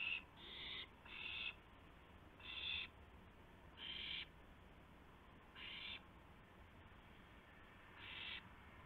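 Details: Owl on a live camera at 2:51 AM on April 2, 2016, bringing a gopher to another owl. It gives harsh, breathy hissing bursts, about seven in all, each roughly half a second long and spaced irregularly, over a steady low background hum.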